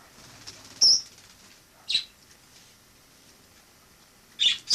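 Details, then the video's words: Wild sparrow living indoors in a home after flying in through a balcony in autumn; three short, high, sharp chirps spaced about a second or more apart over a quiet room background. "Wild sparrow in my home"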